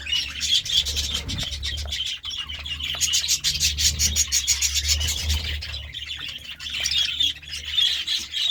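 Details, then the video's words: Morning chirping of budgerigars, a dense stream of rapid scratchy ticks and warbled chirps, loud and steady, over a constant low hum. "Budgie Sounds part 33 | A beautiful chirping sound in the morning"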